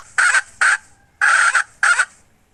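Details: Domestic hen from 2021 giving four loud, harsh, squawking notes in two pairs, the third note longest, with brief silences between them and little else audible.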